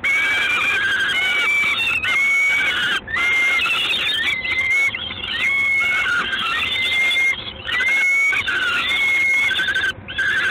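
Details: Peregrine falcon recorded on 3 June 2016 in the evening at Gdańsk: repeated shrill, rising wails about once every one to two seconds, each note harsh and slightly upslurred, with steady hiss underneath.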